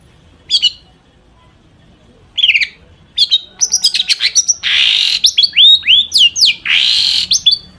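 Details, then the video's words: Mimicry-filled long-tailed shrike song played to provoke other shrikes to sing: a few sharp chirps, then a fast, dense run of rising whistles, buzzy trills and ticking notes, loud and continuous toward the end. "cendet gacor FULL ISIAN buat PANCINGAN CENDET AGAR BUNYI"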